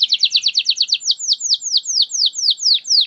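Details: Canary singing as a lure for quiet canaries: a steady series of loud down-slurred whistled notes, fast at first and then slowing to about two per second.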